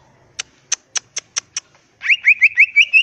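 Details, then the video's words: Greater green leafbird, crest raised, singing full fill-ins in the ngentrok style. Six sharp evenly spaced clicks lead into a fast run of about eight rising whistled notes. "Burung Cucak Ijo Gacor full isian Ngentrok Jambul Nembak"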